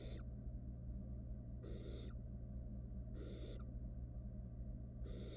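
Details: Wild barn owl chick on a monitored nest box cam, around swallowing a whole rat: harsh, noisy hisses about every 1.5 seconds, some trailing off downward, with a continuous hum.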